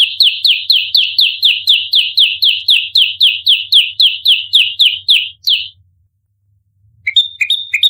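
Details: Bar-winged prinia fighting call, recorded for luring: a rapid string of bright downslurred chirps, about four a second, stops abruptly, then after a silence resumes as thinner clipped notes.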